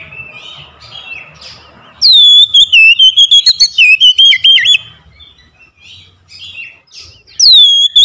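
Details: Oriental magpie-robin singing as a lure for quiet birds: quiet twittering gives way to a loud run of sharp whistled notes repeated about four per second, then soft chatter and a final loud whistle.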